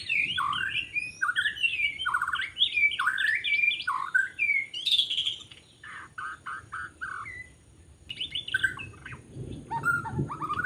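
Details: White-rumped shama singing in forest during bird trapping in Lombok; rich varied phrases of whistled, slurred and rapidly repeated notes, some falling sweeps and trilled bursts, with pauses between phrases.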